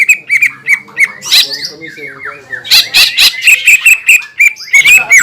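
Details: Loud green leafbird song used to provoke other leafbirds: strings of ringing whistled notes in quick succession, interrupted by harsh raspy bursts and scratchy chatter, then fast repeated whistles again.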